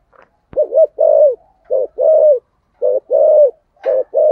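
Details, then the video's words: Spotted dove in the 'thổ' voice, used as a lure call for other doves; rounded low coos in pairs, a clipped note followed by a sustained one, several pairs with short silences, one sharp click near the start. "cu gáy giọng thổ gáy gọi dùng kích bổi rất hiệu quả"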